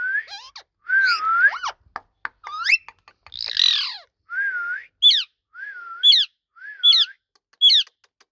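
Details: Ringneck parrot talking: a mix of wavering whistles, clicks and a harsh burst, then a steady series of four sharp rising squeaks, each paired with a low whistle.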